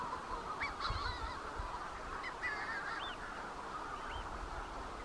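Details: Manx shearwaters near the Bardsey Bird and Field Observatory, Bardsey Island, calling in a dense chorus, harsh crowing and cackling cries overlapping from several birds, with a low rumble of wind or surf beneath.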